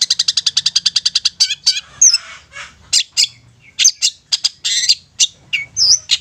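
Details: Long-tailed shrike song used as a lure to make silent, stubborn young shrikes sing eagerly and get excited: a quick run of about fifteen harsh buzzy notes, nearly nine a second, then scratchy chatter and sharp whistled notes.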